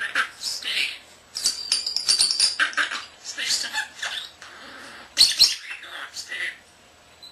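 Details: Indoor pet common starling, a young male under one year, talking and whistling: busy run of hissy speech-like phrases, a thin sustained high whistle, fluttery noises, and sharp squeaks toward the end.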